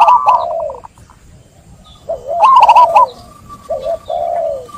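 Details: Zebra dove, called perkutut, singing to draw a quiet dove into song: a fast cluster of hooked coos followed by a long lower slurred note, the phrase given twice with a pause between.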